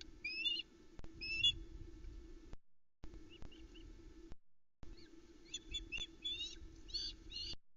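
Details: Ospreys at a Loch Arkaig nest on 7 July 2020, the hungry family crowding round the male as he delivers a smallish trout, heard through the nest camera. Scattered bursts of high chirping calls come over a steady low hum, with short gaps of silence.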